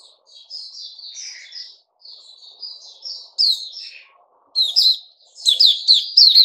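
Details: Bulbul in captivity singing soft, rambling warbled phrases that build into louder, sharp chirping bursts toward the end, with a faint low murmur in the background.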